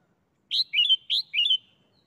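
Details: Caged red-whiskered bulbul showing the doubled "beun" (เบิ้ล) song style: two quick matching phrases, each a sharp whistled note followed by a bright slurred warble, clean and close with a silent background.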